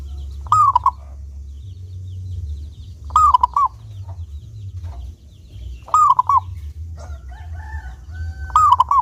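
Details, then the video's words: Local zebra dove with a clear voice, used as a lure to get other zebra doves singing often. It gives a whistled cooing phrase that rises, then breaks into a quick stuttering trill, repeated about every two and a half seconds. "Perkutut Lokal Gacor Suara jernih ini Paling Ahli bikin Pancingan Burung Perkutut Agar rajin Bunyi"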